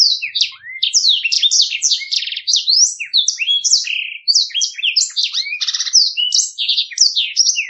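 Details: Rolling ngeroll song of a Black-throated canary, meant as a training model for other songbirds: dense, clean, high-pitched phrases of quick upslurs, downslurs and short buzzy trills following one another without pause.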